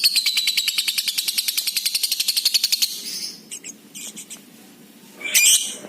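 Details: Lovebird in 'ngekek' style, played to call other lovebirds: a fast, even run of harsh buzzy notes lasting about three seconds, then scattered short rasping chirps and a sharp squawk near the end.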